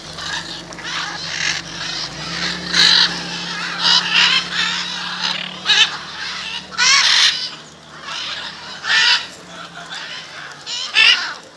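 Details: Gathered macaws in Jaumave, Tamaulipas, Mexico, February 2015, keep up a steady run of hoarse, buzzy squawks every second or so, with a low steady hum in the background for the first half.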